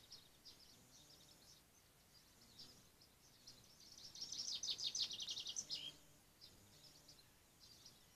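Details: Blue tit calling: thin high notes scattered over a quiet background, then a fast rapid-fire burst of bright, high chattering notes for about two seconds before it fades back to sparse faint calls.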